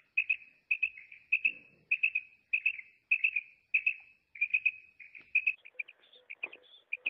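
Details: A female Common quail gives clipped, high notes in quick groups of two or three, repeated about every half second in a steady series; a soft rustle sounds once. Such calls are used in morning and night quail hunting.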